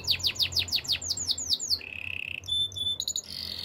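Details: Canary singing a fast series of descending whistled sweeps, then a steady buzzy trill, a bright metallic high tour and a rapid chattering close.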